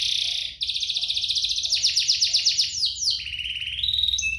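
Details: Canary song played to get other canaries singing: a dense buzzy roll, then rapid repeated chopping notes and sliding whistles, with faint low murmuring beneath.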